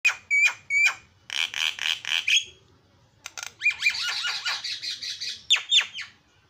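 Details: Javan myna (jalak kebo) singing very noisily in isian style, recorded as a tutor track for training birds: harsh buzzy bursts, sharp whistled notes near the start, then a long grating rattling stretch and a final screechy flourish.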